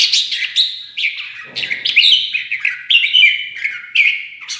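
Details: Red-whiskered bulbul singing competitively after being provoked: a fast, continuous run of loud, bright whistled and warbled phrases that rise and fall, with short sharp chirps between them and no other sounds.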